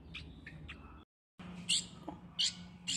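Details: A three-week-old hand-raised light-vented bulbul, tame and treating its keeper as its parent, gives short, high, scratchy chirps, a quick trio and then louder bursts about every half second, over a low indoor hum; it calls loudly and shakes its wings when hungry.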